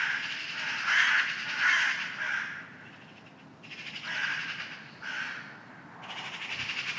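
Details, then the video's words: Several noisy crows in the early morning giving harsh, hoarse caws in irregular bursts, some overlapping, with brief lulls between. "Crows Crowing Very Loud Ambience Sound Effect"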